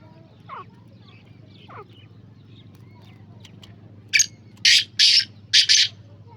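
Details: Black francolin call: after faint distant bird notes, a sharp grating phrase begins with a short rasp and continues through two hoarse, doubled notes, loud and close against a low background hum.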